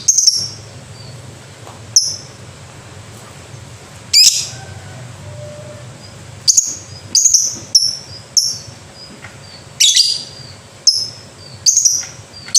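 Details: Lovebird, recorded for a 'ngekek' style singing sound, giving short, sharp, very high chirps at irregular intervals, roughly a dozen over the stretch, with quiet gaps between them and a faint low hum underneath.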